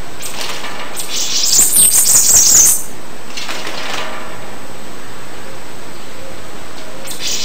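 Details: Bananaquit singing a high, thin, buzzy burst of rapid sputtering notes lasting about one and a half seconds, followed by quiet background hiss.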